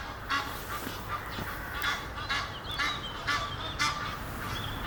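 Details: Courting Egyptian geese, a pair in a tree near Henley upon Thames, call in harsh nasal honks repeated roughly every half second, about eight calls, with steady rumbling noise behind.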